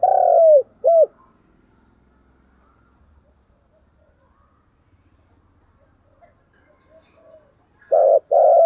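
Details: Spotted dove, a decoy bird, giving a fighting coo: a falling coo and a short arched note, then several seconds of faint rustling and distant chirps, and a further pair of coos near the end.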